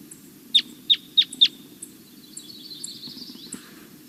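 Red Crossbill giving four sharp, slightly ringing downslurred kip notes, about a third of a second apart, then fainter high notes over a low steady hum.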